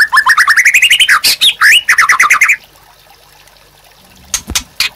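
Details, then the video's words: White-rumped shama singing for use as training material for captive birds: fast rattling trill of repeated notes, then another quick run, followed by quiet and a few sharp clicks. "MURAI BATU GACOR UNTUK PANCINGAN DAN MASTERAN"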